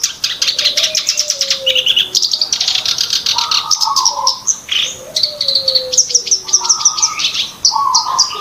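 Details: Lure recording of a black-browed reed warbler for bird trapping: long runs of harsh, rattling high notes and squeaky upslurs, over repeated drawn-out lower whistles that fall gently in pitch.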